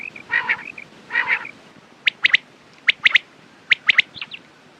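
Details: Quail call for morning and night: opens with two rough, nasal, wavering phrases, then sharp clipped notes in pairs and triplets roughly every second.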